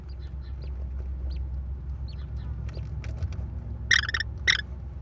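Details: Nest camera recording of American kestrels in Wisconsin on May 13, 2021, a mother feeding four chicks: soft faint chatter, then two loud harsh calls half a second apart, with steady low background rumble.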